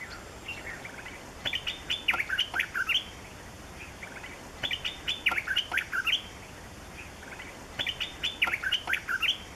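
A yellow-throated bulbul gives three bursts of bubbly, chattering notes, each about a second and a half long, with short pauses between them.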